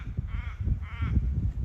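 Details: A little raven on a farm near Bendigo, Australia, on a summer late afternoon about two hours before sunset, gives two short, harsh, nasal caws about half a second apart, over heavy low wind rumble.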